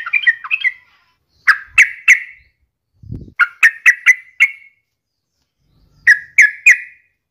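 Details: Sooty-headed bulbul, offered as a lure for other birds, sings groups of three to five sharp ringing chirps between pauses, with a brief low thump in the middle.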